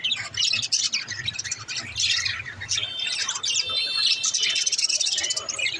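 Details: Chirping from a mother budgerigar sitting in a nest pot: a steady flow of overlapping high twitters and warbling notes from several birds, with a faint low hum underneath.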